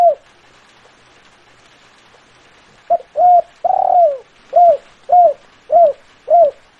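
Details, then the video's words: A spotted dove singing its "kuk 5" pattern after nearly three seconds of quiet: two quick low coos, a longer sliding coo, then four evenly spaced, rounded short notes, soft hiss behind. "suara terkukur sangat indah kuk 5"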